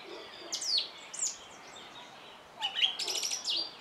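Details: Song thrush singing: two bursts of sharp, high whistled and chirping notes, the first a pair of brief phrases, the second a quick run of repeated notes, over a soft, steady background hiss.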